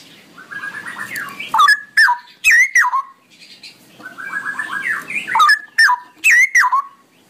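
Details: Ropelan-style song of a straw-headed bulbul: a quieter stuttering run of quick notes builds into loud, gurgling, sweeping whistles, and the pattern repeats twice.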